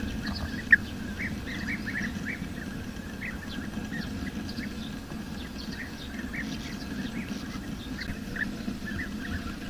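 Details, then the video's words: Wild bee-eaters calling: a steady chorus of short, bright chirps from several birds overlapping throughout, some rising slightly, over a constant low rumbling background hum. "SUARA BURUNG KICAU"Bee-Eater"(Kicau Mania)Gacor di alam liar."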